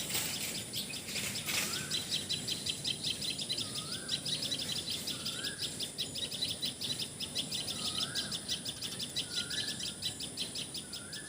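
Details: Common tailorbird in Assam, India, giving a long run of quick, high chip notes about three a second. Another bird adds short rising whistles every couple of seconds, over a steady hiss.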